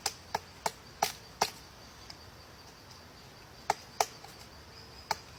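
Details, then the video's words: A woodpecker striking a tree trunk, giving crisp woody taps in two bursts of about five irregular knocks separated by a quiet gap, with a thin constant high-pitched tone behind. "woodpecker cutting a tree"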